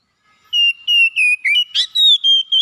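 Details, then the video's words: Oriental magpie-robin lure song, played to stimulate a lazy bird into singing: a run of about eight clear whistled notes, each short and steady, level then dipping and rising, spaced evenly with brief gaps and one burst of scratchy noise midway. "PANCINGAN CEPAT MEGATASI KACER MALAS BUNYI CEPAT GACOR"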